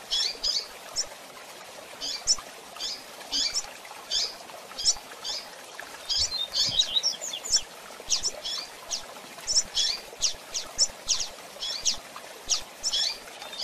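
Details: Double-collared seedeater female calls meant to stir up the male: a long run of sharp, high chips, often in pairs or triplets, spaced less than a second apart over faint background hiss.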